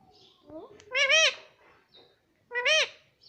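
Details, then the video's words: Pet green ring-necked parrot indoors, said to say mitthu and mummy; two loud, harmonic, wavering syllables about one and a half seconds apart, with softer murmured sounds before them. "मिट्ठू मिट्ठू बोलेगा तोता _ मम्मी बोलने वाला तोता मैना _ parrot sound"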